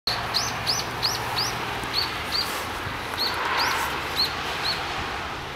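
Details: Long-tailed rosefinch giving short high thin calls, single upslurred notes repeated irregularly about twice a second, over steady background noise.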